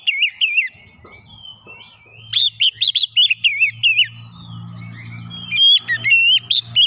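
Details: Oriental magpie-robin song played as a lure to provoke rival birds: loud bursts of rich, varied whistles and slurred notes around mid-high pitch, in phrases separated by short pauses, with low hum in the background.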